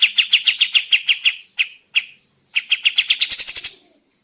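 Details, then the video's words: Sooty-headed bulbul (Burung Kapas Tembak) lure recording meant to make birds answer and sing. Clear sharp chirps repeat rapidly in two runs, with a short pause between them, and the second run speeds into a dense trill. "Burung Kapas Tembak mana yang tidak nyaut dan gacor dengan pancingan ini"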